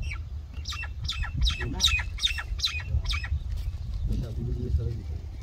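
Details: Common myna giving a rapid series of about eight harsh, buzzy chirps, some with a whistled tone, followed by a lower murmuring sound over a background rumble.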